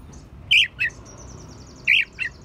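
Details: Oriental magpie-robin song packed with sparrow and prinia mimicry for tutoring songbirds: two paired harsh chirps repeated about a second apart over a faint, fast high ticking trill.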